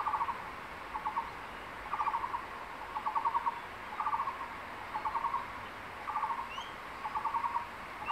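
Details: A male crested goshawk at a nest in secondary forest calls his mate to take a freshly caught tree lizard, giving short rapid mid-pitched chattering bursts about one each second, over forest hiss and faint high chirps.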